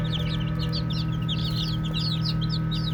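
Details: Playing baby chicks keep up a constant stream of high, slightly falling peeps, many birds overlapping, against a loud, even low hum.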